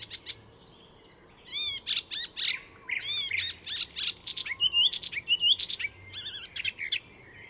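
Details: Icterine warbler singing a jumbled, mimicry-rich song at a reserve north of Stockholm, Sweden; rising and falling whistles, harsh notes and squeaky chirps follow one another with barely a break.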